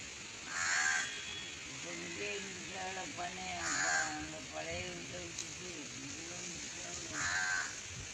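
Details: Barn owl being taught to fly, giving three short, harsh, hissing screeches about three seconds apart, with a person talking throughout.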